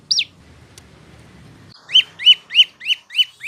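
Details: One sharp downslurred note, a quiet gap with soft low rumble, then a run of loud arched chirps about three a second from a prinia (prenjak lumut or lancur), played for training cage birds.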